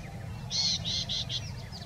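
White-tailed Iora giving four or five high, slightly buzzy notes that come quicker and shorter, then fade into faint trailing chips, over a low background rumble.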